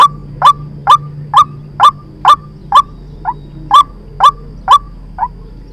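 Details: White-breasted waterhen lure call used for trapping: a steady series of short, loud, harsh notes, about two per second, eleven in all, a few of them softer, over a faint low hum.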